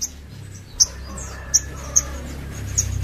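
A crimson sunbird gives four sharp, very high chips, spaced unevenly about every half second, over a low steady hum.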